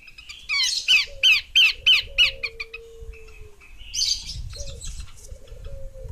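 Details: A female Horsfield's babbler rattles off six or seven grating, descending notes in quick succession, then a brief rougher burst later, against light rustling background noise.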